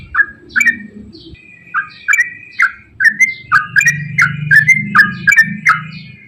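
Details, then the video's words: Trucukan, the yellow-vented bulbul, giving lively long 'ropel' song used to coax quiet birds into singing: after a pause, accelerating series of sharp chirps, each with a high click then a falling slur, packed tighter toward the end. "KICAU TRUCUKAN GACOR ROPEL PANJANG"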